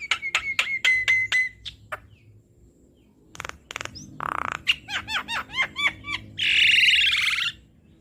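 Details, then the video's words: Asian pied starling (jalak kebo), a cage bird in a training recording: a rapid series of sharp clicks, a rasping buzz, quick rising chirps repeated several times, then a loud harsh wheezing phrase. "Masteran Burung Jalak Kebo Gacor"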